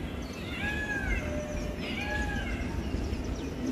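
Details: A peacock perched on a tall tree calls as the sky turns cloudy before rain, giving two loud, nasal, cat-like wails about a second apart, each rising then falling, over a low wind rumble.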